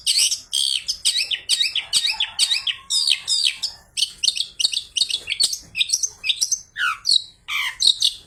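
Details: Long-tailed shrike song rich in mimicked phrases, including fighting-sparrow notes, used as a lure for other shrikes: a fast, steady run of sharp high chirps, closing with a few lower, swooping whistles.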